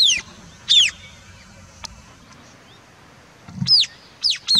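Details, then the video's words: White-capped tanager, Sericossypha albocristata, giving strident high-pitched calls: sharply descending whistled notes in pairs at the start and a rapid cluster of three near the end, separated by quiet gaps with soft low rumble. "Rey del Quindío (Sericossypha albocristata)"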